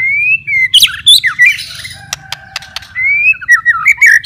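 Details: White-rumped shama, a kept bird, singing: a long level whistle, then sweeping squeaky notes and clicks, ending in a wavering, rapidly modulated warble, over a faint low background hum.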